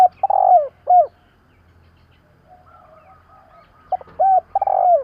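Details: Mellow spotted dove coos for stimulating decoy doves, a long slurred coo with a falling end note, a quiet spell of faint murmurs, then another full phrase of short notes rolling into a long coo.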